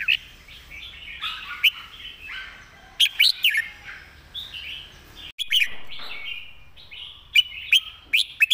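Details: Red-whiskered bulbul singing its master song with clean phrasing: repeated bursts of loud, sharp whistled notes at about 3, 5.5 and 7.5 seconds, separated by softer chattering and warbling in the background.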